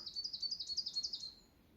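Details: Wild bird in the low hills of Saitama, Japan, giving a fast trill of high, sharp repeated notes, roughly six a second, lasting just over a second before quiet forest ambience.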